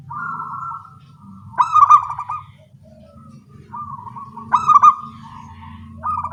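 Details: Morning duet of local zebra doves with small voices: long, level cooing trills alternate with louder stuttered bursts, about every few seconds, over a steady low background murmur.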